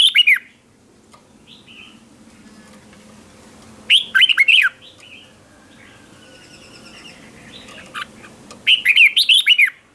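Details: Red-whiskered bulbul decoy song to call other bulbuls, competition singing: three short bursts of quick looping whistles spaced several seconds apart, with faint softer calls between them.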